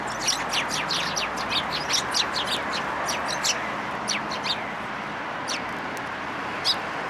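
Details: Several sparrows follow a person at a community hall on 26 February 2023, hoping to be fed. Short, sharp high chirps come in a quick, uneven run, then thin out to scattered single notes over a steady background hiss.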